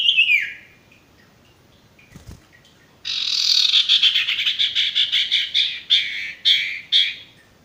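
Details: Tutoring song of a male sirtu (Ashy Tailorbird) for raw or stressed birds that have gone quiet: a falling high whistle, a brief click, then a long series of harsh buzzy pulses breaking into separate scratchy notes.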